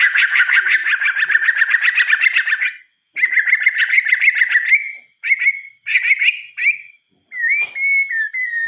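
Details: White-rumped shama song at night: a dense, fast-trilled buzzy stretch, then shorter warbled bursts and clear, drawn-out whistles separated by short pauses.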